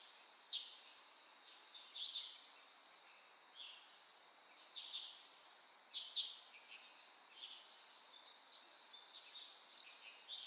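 A common kingfisher gives a run of piercing, very high whistled notes, roughly two a second, then fainter, softer notes trailing off.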